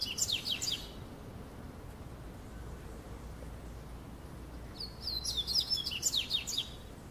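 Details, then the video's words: Little double-collared seedeater singing through a summer afternoon in São Paulo state, Brazil: a burst of high, rapid, sweeping chirps at the start, a long quiet gap, then a second fast twittering phrase of slurred whistles near the end. "Passarinho Coleiro (coleirinho cantando) / Double-collared Seedeater singing"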